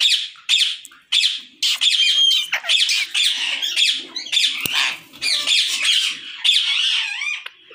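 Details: Rose-ringed parakeets in a captive breeding colony in Pakistan, 2022, screeching almost nonstop, with several harsh, grating calls overlapping into a dense chorus.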